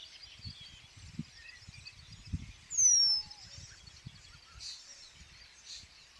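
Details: Spring Eurasian penduline tit on willow-lined meadows by the Vistula in Żuławy Wiślane, giving a single high, clear descending whistle midway through, set against distant twittering of other birds and low background rumble.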